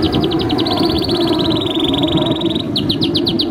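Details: Canary master song for training young canaries and silent birds: a very fast, even rattling trill that holds for over two seconds, then breaks into slower, separate notes, over a loud steady background rumble.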